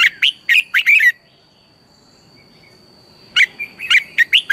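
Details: Red-whiskered bulbul in morning training song, a lure for other bulbuls: a quick burst of loud, bright chirps, a silent pause of about two seconds, then another rapid run of sharp whistled notes, over a thin constant tone.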